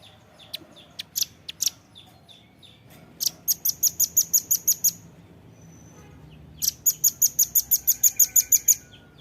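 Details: Velvet-fronted nuthatch recorded to train caged birds: irregular high chips at first, then two long, even runs of piercing chit notes separated by a quiet gap.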